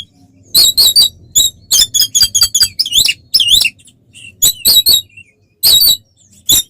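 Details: Oriental magpie-robin in fighting song to provoke other birds: clusters of sharp high chattering notes and twisting buzzy phrases, delivered in quick bursts with short gaps.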